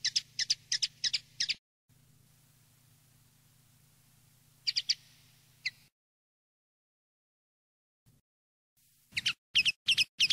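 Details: Common linnet song recorded for tutoring young linnets: bursts of rapid, high twittering notes repeated in quick series, separated by a steady low hum and gaps of silence.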